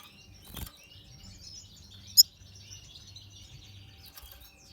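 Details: Soft, continuous high twittering from a natural pastel red siskin, a thin ribbon of warbled notes with one sharp bright chirp partway through and scattered clicks.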